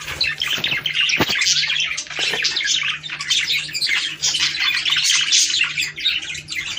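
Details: Budgerigars chattering to stimulate breeding: a dense, continuous warble of buzzy chirps, squeaks and rapid twittering, high-pitched and overlapping, with a few sharper clicks near the one-second mark.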